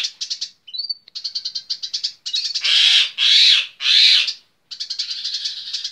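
A Eurasian tree sparrow chatters in fast bursts of high, dry chirps, broken by three long, harsh, buzzy squeals, each under a second.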